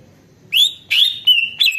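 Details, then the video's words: Greater green leafbird song meant to draw replies from other leafbirds: four clear, loud whistled notes in under two seconds, each bending upward then held steady, with short gaps between. "CUCAK IJO DI JAMIN BUNYI DAN LANGSUNG NYAUT"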